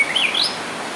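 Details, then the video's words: White-rumped shama in dry moult giving a brief loud whistled phrase that climbs and twists upward in quick slurred notes, lasting under half a second. "murai batu mabung kering"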